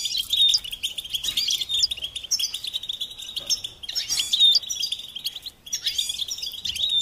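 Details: Goldfinch song used to motivate songbirds: phrases of rapid high twitters and clear whistled notes separated by short pauses, each phrase bright and tinkling.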